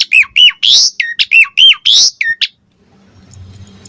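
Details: Asian pied starling giving fast harsh squawking chirps in quick succession for two and a half seconds, then quiet, used to get other starlings to answer and sing.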